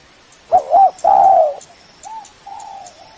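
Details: Spotted dove lure call for attracting a rival: one loud low coo phrase, a quick double note then a sustained mellow coo, trailing into fainter soft coos.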